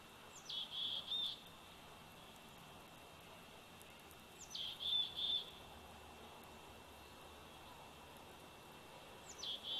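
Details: Young bald eagle, 104 days old, calling from the Big Bear Valley nest on 27 July 2019, nest cam recording: three bouts about four seconds apart, each a falling squeal and two or three shrill peeps, over quiet background hiss.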